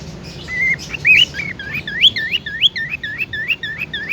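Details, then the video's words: Tame cockatiel playing with its owner; a run of clear whistled notes, each rising then curling down, repeated about three times a second and growing steadily, over a low background murmur. "Bermain Bersama Burung Falk yang Jinak"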